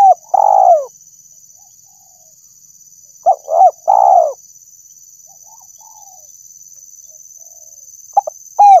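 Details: Lure recording of a spotted dove: a long, rough, downward-sliding coo, a quiet pause with faint soft notes, then a phrase of two short coos and another long falling coo, with new notes starting at the end over a thin steady whine.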